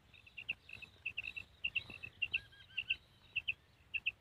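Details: Female common quail calling: short, high, clipped notes in quick pairs and triplets, repeated roughly every half second in an uneven rhythm over a quiet background with faint low rumble.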